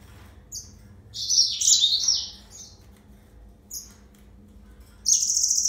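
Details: Yellow-fronted canary with a tumbling run of high, buzzy trills and twitters, then a brief pause. A short chip comes next, and a sharp, sustained trill closes the clip.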